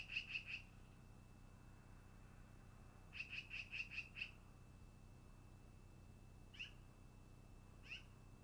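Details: Long-eared owl at the nest, early afternoon: a run of three sharp, loud notes, then a longer string of six, then two separate falling squeaks, over a steady high tone.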